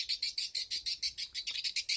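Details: High chirps repeated about eight times a second in an even, steady series. This is a recorded edible-nest swiftlet lure call used by farmers to attract the birds to nest houses, played back from a flash disk in stereo.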